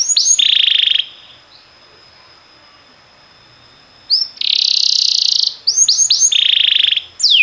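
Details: Canary song used for training other canaries, possibly timbrado: loud, high buzzy trills in two long rolling bursts with sharp upswept chips between, separated by a quiet gap of about three seconds.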